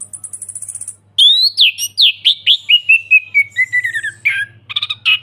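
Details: Lure song of an Orange-headed thrush in ngeplong style: a high thin trill, then a run of clear downslurred whistles repeated about twice a second, ending in harsher chattering, over a soft low hum.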